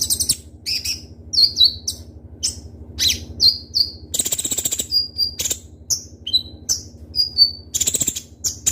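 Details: Kolibri ninja (Van Hasselt's sunbird) singing sharp, rapid phrases: piercing high notes and short twittering bursts, several clear whistled notes that dip and level off, separated by brief pauses, with a constant low hum underneath.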